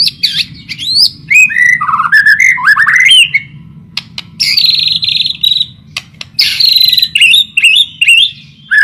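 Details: Lure recording of a white-rumped shama song: swooping whistled notes rising and falling, followed by dense buzzy, harsh bursts, loud and continuous with short breaks, over a faint low hum.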